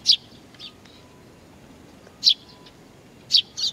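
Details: Nestlings waiting for their parents at Tenmangu shrine, Nakanoshima, on 25 June 2020, giving thin, very high chirps in short bursts at irregular intervals of one to two seconds, some doubled, over faint background hum.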